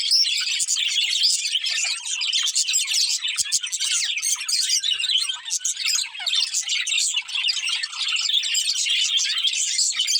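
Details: Steady high-pitched twittering from a breeding pair of budgerigars runs the whole way through, busy, scratchy chirps layered thickly without a break.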